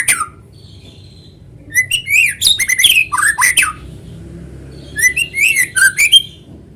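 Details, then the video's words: Lively white-rumped shama song for luring other shamas to sing: rapid runs of varied whistles, bright chips and rougher notes in two dense bursts, separated by a brief pause. "PANCINGAN BURUNG MURAI GACOR SUARA ALAMI BIKIN MURAI BATU IKUT BUNYI"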